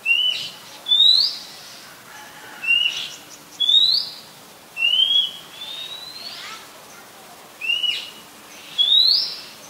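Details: Oriental magpie-robin, a very common resident, singing in Ubon Ratchathani, Thailand, on 18 April 2022, recorded on a Nikon P1000: clear, high whistled notes sweeping upward, given in short phrases every second or two with pauses between.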